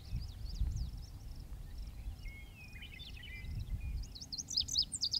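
A male Lazuli Bunting sings a quick run of high, sweet notes, some paired and some buzzy, over a steady low rumble of background noise.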